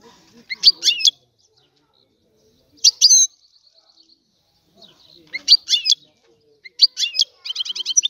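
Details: European goldfinch from Sicily singing a rare old-style 'antico' song: short bursts of bright, tinkling twitters and buzzy trills separated by pauses of one to two seconds, ending in a rapid run of liquid notes.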